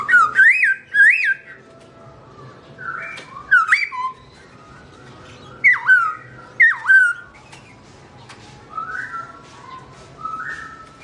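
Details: A black-throated laughingthrush (Garrulax chinensis), its owner away, sings clusters of two or three loud swooping whistles separated by pauses, then softer flat whistled notes toward the end.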